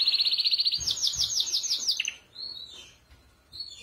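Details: Canary training song from five birds: a very fast high trill flowing into broad rolling slurred notes, followed by quieter single whistled notes.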